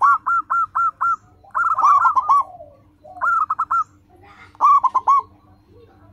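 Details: Local zebra dove (perkutut) singing loudly, used to train caged doves to sing: repeated phrases of four or five short, clipped, bubbling coos, with pauses between bursts.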